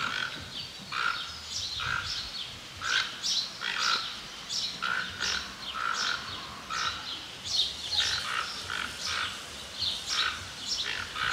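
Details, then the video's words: A toco toucan (Ramphastos toco) in Tupi Paulista, São Paulo, Brazil, gives hoarse, rasping croaks, roughly one per second, in a steady rough series against a quiet background. "O canto do Tucanuçu, Tucano toco"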